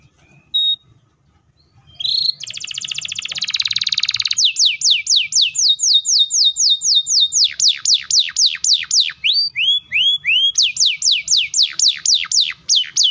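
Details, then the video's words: Domestic canary singing a long, rapid roll meant to prompt young and silent canaries to answer: a short whistle, a dense buzzy trill, then chains of quick descending whistled sweeps repeated about four per second, changing pitch midway. "KENARI GACOR ROLL PANJANG SPEED RAPAT❗CUKUP 3 DETIK KENARI PAUD DAN MACET TOTOL SEKETIKA NYAUT!"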